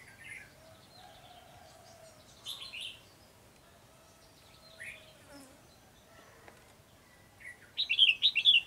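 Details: White-cheeked red-whiskered bulbul at a trapping setup on 12 July 2020, restless and tail-flicking; scattered thin high chirps with a faint low hum, ending in a loud run of rapid bright warbled notes.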